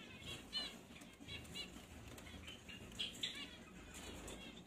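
A young Gouldian finch gives short, high, nasal chirps, several each second in uneven bursts, over wing flutters and a low background rumble.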